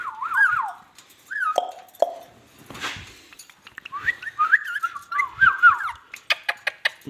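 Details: Ringneck parrot talking: several short, wavering whistled phrases with quick pitch wobbles, a rough breathy burst, then a longer warbled sequence ending in a string of crisp rhythmic clicks.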